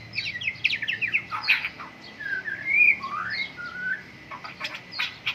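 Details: White-rumped shama during morning dew airing: varied loud whistled phrases, some slurred rising and falling, with harsh chattering notes at the start and end, and a steady faint high tone in the background.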